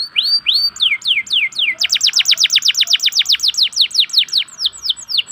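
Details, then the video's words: Local canary song played to coax quiet canaries into singing. A few drawn-out swooping whistles lead into a long, rapid, steady trill of bright, sharply falling notes. "pancingan kenari lokal untuk kenari malas bunyi"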